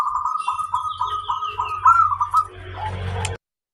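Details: Zebra dove of local stock giving a fast series of stuttered cooing notes that roll into a trill, with a fainter descending whistle above and a low hum beneath before it cuts off.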